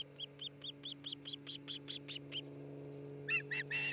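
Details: Nesting osprey, Charlo, Montana, nest camera recording from 27 June 2018: a faint string of short chirping notes repeated about twice a second, ending with three louder, harsher notes over a low steady hum.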